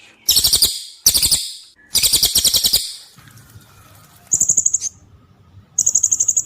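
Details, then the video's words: Cililin song used as masteran training material for competition songbirds: three fast buzzy trilled bursts followed by two thinner high, even piping trills. "CILILIN VS SERINDIT - Masteran Tembakan Tajam Panjang Mematikan"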